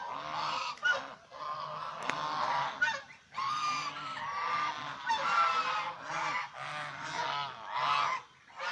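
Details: Domestic Chinese swan geese honking almost continuously, overlapping harsh nasal calls from several birds with short gaps, among birds seen playing, bathing, resting and fighting.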